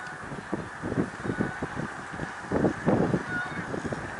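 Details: Snow geese, Middle Creek Wildlife Refuge, Pennsylvania, 1 March 2021: clustered honks come in short groups, swelling around the middle, over an unbroken hum of the wider flock.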